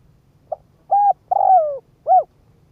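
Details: Spotted dove used as a decoy, cooing to lure wild doves: a short soft note, then two strong hooded coos, the middle one long and falling, spaced over about two seconds on a quiet background.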